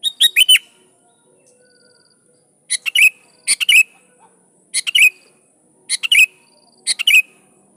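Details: Sooty-headed bulbul in lively full song, calling rivals so that wild bulbuls answer: short bright clusters of two to four quick chirpy notes, repeated about once a second, over a faint steady high hiss.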